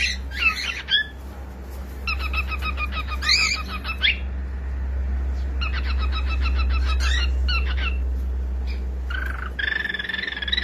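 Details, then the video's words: Young pet cockatiel singing indoors: bursts of harsh, rapidly repeated chattering notes separated by pauses, ending in a steady buzzy whistle, over a loud low hum. "SOM DE CALOPSITA CANTANDO"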